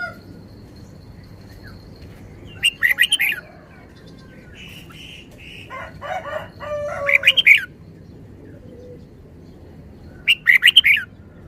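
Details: Red-whiskered bulbul repeating short, lively song bursts three times, about four seconds apart. A rooster crows between the second and third phrases over a quiet hum.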